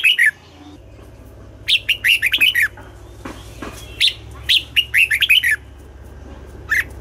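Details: Morning song of a red-whiskered bulbul in double-note style, used to coax birds into singing: a lone chirp, then two lively phrases of rapid warbled notes, and a final chirp, over a low background hum.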